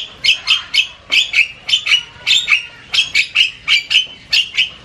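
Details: Asian pied starling in loud varied chatter, giving rhythmic groups of two or three harsh, ringing squawks, about four notes a second, with brief gaps between groups.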